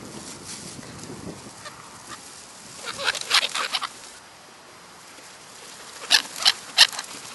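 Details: Black-headed gulls in the New Forest, Hampshire, England, July 2009: harsh, broadband squawking calls in two bursts, a quick cluster of four or five near the middle and three sharp cries near the end, over steady background hiss.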